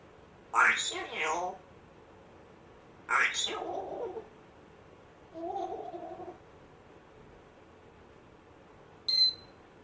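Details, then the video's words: Rescued African grey parrot, one month after rescue, indoors in a small room making weird mimicked sounds: two harsh raspy bursts, a lower squeaky drawn-out note, then a short sharp high click, separated by pauses. "Hilarious African Grey parrot talking, funny weird sounds"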